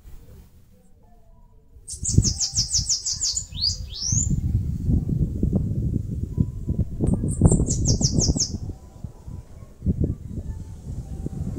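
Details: Two songs from a Bananaquit making its nest in a mandacaru cactus in northeastern Brazil, each a rapid series of thin, high, buzzy notes, the first ending in rising slurred squeaks, over steady low rumbling noise.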